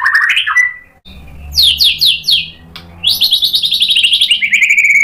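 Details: White-rumped shama song to stir other shamas into answering: a mid-pitched whistled opening, a brief gap, then high quick descending notes and a long rapid trilling run, with faint low hum.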